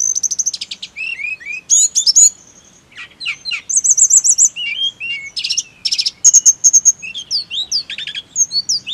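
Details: Therapy recording of snowy-browed flycatcher song for making birds sing: a long, varied high stream of thin whistles, wavering trills, buzzy rattles and sharp chips, delivered almost without pause over nine seconds.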